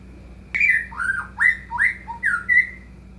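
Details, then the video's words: White-rumped shama song intended to get a caged shama singing: a sharp onset followed by six varied whistled phrases, some swooping down and others rising, each about half a second long. "murai batu gacor AMPUH buat PANCINGAN murai batu agar bunyi"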